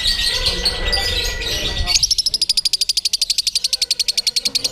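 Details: Lovebird hung on a contest pole with a shooting jockey, giving ngekek: after some mixed chatter, a long, very fast, even trill of high piercing pulses begins halfway and runs to the end.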